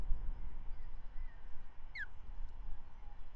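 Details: Osprey at the Manton Bay nest, 13 May 2023, the female feeding the first hatched chick after a morning trout delivery; a single loud, sharply descending whistled chirp against low continuous background noise.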